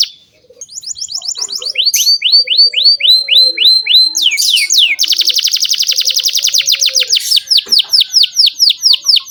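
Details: Canary song used to train young canaries, loud and clean: many rapid rising whistled sweeps in steady rhythm, a dense buzzy trill, then further quick sweeping notes.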